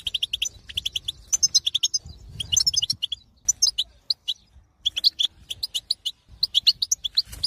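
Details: Wild European goldfinch delivering twittering song: rapid strings of bright, high chirps and tinkling trills in short phrases with brief gaps, against a faint low hum.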